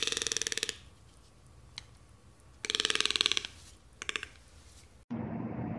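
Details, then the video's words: Toco toucan giving three harsh, rattling croaks, each a fast burst of grating pulses lasting under a second, ending on a sudden switch to muffled rumbling noise. "Toco toucan sounds"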